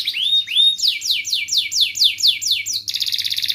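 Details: Canary training song for lazy birds: rising whistled notes, then a run of about nine loud falling slurred whistles, repeated quickly, ending in a dense rapid trill.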